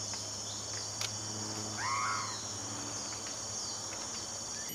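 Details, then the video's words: A Blyth's frogmouth gives one brief, harsh, slurred note that rises and then falls, against a steady high, shrill insect chorus. "Blyth's frogmouth星喉蟆口鸱"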